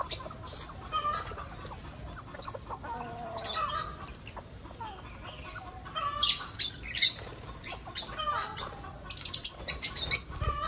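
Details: Lovebirds in a breeding aviary, a flock calling together: scattered shrill chirps and squeaky notes build into dense bursts of high chatter toward the end, over steady low background hum.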